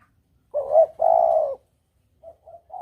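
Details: Single phrase of a spotted dove lure call in double 'kuk' style: a brief two-part coo, then a sustained deep coo, followed by a few faint short notes.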